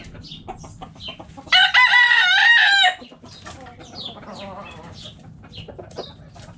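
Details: Hens and roosters in a backyard coop; a loud, rich rooster crow lasting over a second with a wavering, strained ending, set among steady background clucking and small chirping calls.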